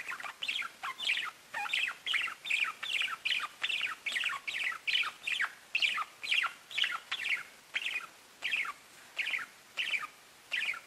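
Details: Pet budgies chirping steadily, with bright, slightly buzzy chirps repeated about twice a second in an even, unbroken series.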